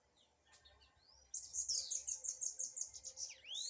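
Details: Blue-black grassquit in a singing dispute; after a quiet opening with a few faint high notes, a loud, fast series of buzzy chirps begins and ends in a rising slurred sweep.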